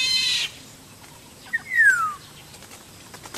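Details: A Black-naped Oriole in the wild gives a short harsh, rasping burst, then a clear, fluty whistle sliding downward; Black-naped oriole.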